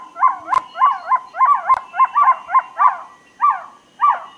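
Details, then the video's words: Trogon calls in overlapping pairs of short, falling, hollow notes, repeated roughly twice a second. The last few notes come with wider gaps. Two sharp clicks break the sequence. "THE BEST TROGON SOUNDS COMPILATION"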